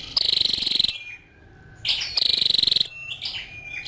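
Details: A female scarlet-backed flowerpecker utters two high, rapidly pulsed ticking trills, each lasting about three quarters of a second, with faint thin notes between them.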